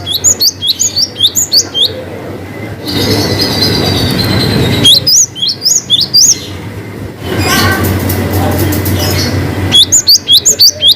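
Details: Cinereous tit in a varied long-whistle song, with bursts of quick upswept high whistles in runs of several notes. Between the runs are long stretches of broad rumbling noise and hissy, squealing sounds.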